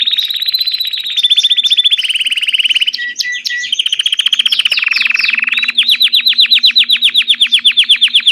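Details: Belgian canary, played to warm up a canary to sing, delivering loud high rolling trills that switch between pitch levels every second or two, with rapid pulsed segments and a fast buzzy finish.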